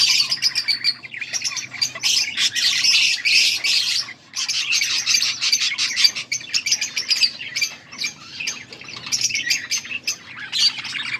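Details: Several budgerigars chatter nonstop, recorded August 14, 2024: a thick flock of high warbles, clicks and short chirps, brief dips near four seconds, otherwise steady lively twittering.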